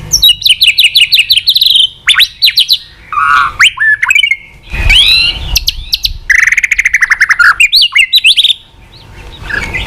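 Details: Rich, varied White-rumped shama song with continuous tạch, used to rouse a shama lacking fighting spirit: bursts of rapid clipped whistles, lower warbled phrases and sweeping notes, with brief pauses between sections.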